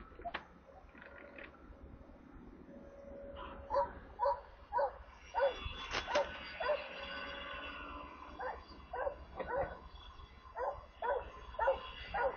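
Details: Stork chicks at their nest in Kaluga Oblast, Russia, on 28 July 2022, given water, recorded by a nest camera; scattered then steady runs of nasal yelping calls, nearly two per second, with a brief loud splashing burst midway.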